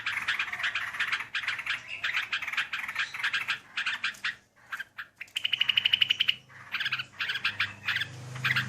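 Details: Sooty-headed bulbul song played as a lure for trapping, with dense, continuous chattering and bubbling phrases, a run of rapid, even ticking notes in the middle, and a low background hum.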